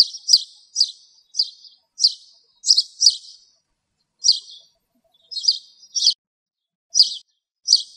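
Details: A Spanish sparrow on a bramble in Greek countryside, recorded where it was filmed, gives a string of about a dozen harsh, bright chirps, some doubled, at an uneven pace of one or two a second, with nothing else audible.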